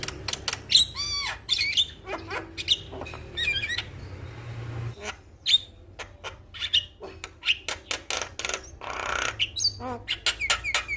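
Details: Male Javan myna singing to encourage other mynas to join in, mixing buzzy rasps, looping whistles and sharp clicks in uneven bursts, with a short pause midway before the chatter resumes.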